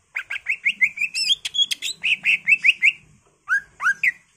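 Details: Greater green leafbird singing gacor full isian for a pancingan lure: a rapid, steady series of loud whistled notes with high chirps mixed in, a brief pause, then two rising whistles.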